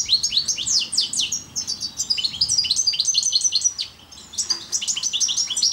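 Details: Loud, fast goldfinch song of the parva subspecies, a nearly unbroken stream of sharp, descending chirps and twitters, briefly pausing before a final tinkling run.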